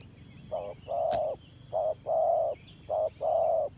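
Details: Spotted dove kept for decoy trapping, cooing in 'thổ pha' style: three loud low phrases, each a brief hoot and a long steady coo, one sharp click, quiet twittering of other birds in the background.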